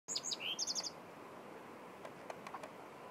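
A nightingale gives a brief phrase of high, sweet notes ending in a quick rattling trill, followed by a few faint ticking notes over steady background hiss.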